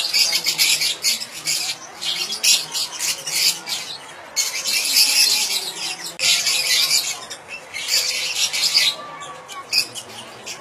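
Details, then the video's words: Lovebirds of the Fischer's and rosy-faced kinds, with calls meant to prompt pairing and breeding: long stretches of shrill, rapid chirping and squawking in several bursts, broken by a few brief quiet pauses. "تحفيز عصافير الفيشر والروز للتزوج بسرعة"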